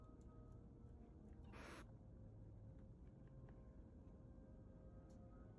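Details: A baby barn owl chick gives a single breathy, rasping hiss lasting under half a second, over a steady low indoor rumble.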